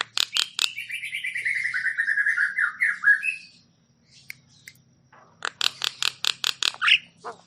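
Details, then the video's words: Javan myna song played to stir silent or stressed mynas: sharp clicks, a long descending warbled whistle, a pause, then a fast regular train of harsh clicking notes ending in a slurred call. "Suara Khas Jalak Kebo Gacor Full Isian Untuk Jalak Kebo Stres Jalak Kebo Malas Bunyi"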